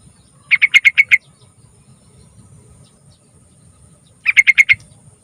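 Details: Yellow-vented bulbul, a lure recording meant to make young birds sing. Two quick clipped phrases of five or six sharp, evenly spaced notes each, nearly four seconds apart, over quiet low background noise.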